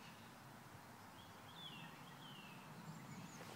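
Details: Common starling (Sturnus vulgaris) at Obora Hvězda, Prague, 13 March 2016, giving a few faint, downward-sliding slurred whistles with a thin high whistle near the end, over a steady low rumble.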